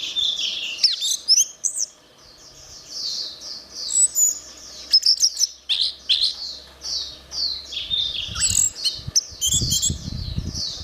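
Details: Orange-headed thrush song, a dense stream of high, rapidly changing chirps and twittering notes, almost continuous, with brief sharp clicks and a low rumble of background noise toward the end.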